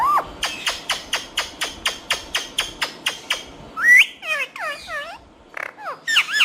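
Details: A green talking parrot repeats a steady clicking, ticking note about three times per second. Bright looping whistles and rising squawks follow.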